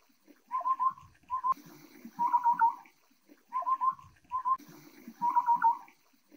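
Taiwan scimitar babbler giving short bursts of fluty, bubbling notes around mid pitch, groups repeating every second or so, with lower chattering beneath.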